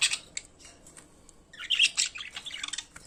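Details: Pet budgerigars singing, scattered high chirps at first, then a thick run of squeaky, buzzy warbling notes tumbling together toward the end.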